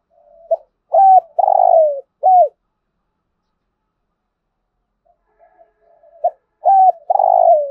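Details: Spotted dove in thúc gù style: one full phrase of short note, level coo, long wavering downslurred coo and arched end note, a pause of several seconds with faint murmurs, then the phrase starting again.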